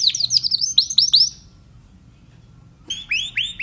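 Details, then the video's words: Timbrado canary giving short bursts of high, downward-curving chirps, a long pause, then a few rising swept notes. "canary timbrado"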